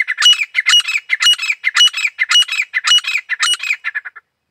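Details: Grey francolin (desi teetar) giving a loud series of harsh, ringing, screechy phrases repeated about twice a second, tapering into quicker, softer notes before stopping; no other sounds.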